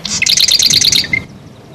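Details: Marsh wren, Cistothorus palustris, North American songbird of the wren family: a loud, dry rattle of rapidly repeated notes lasting about a second, then a single thin whistled note.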